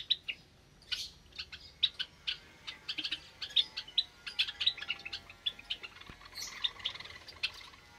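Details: Java sparrows in an aviary cage with many recently hatched chicks, on a Sunday morning in May: short high chirps and tweets repeated irregularly through the clip, several birds calling.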